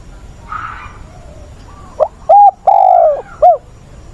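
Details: Captive spotted dove used as a training decoy, wild-caught voice, August; a faint chirp from another bird first, then one phrase of mellow coos, a short note, a level hoot, a long bending coo and a closing hoot.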